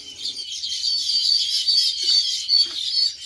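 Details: Many baya weavers around nests in palmyra palms in a field, chirping together in a dense, continuous high-pitched chatter of overlapping tweets that fills the surroundings.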